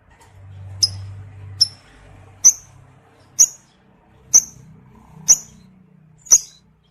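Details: Male lovebird in breeding condition, from a recording used to provoke males to trill: seven short piercing chirps spaced about a second apart, over a faint low rumble.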